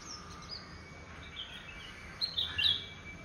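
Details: Bulbuls chirping in a home garden: short bright whistled notes, a few quick rising and falling chirps clustered near the end, over a steady low background hum.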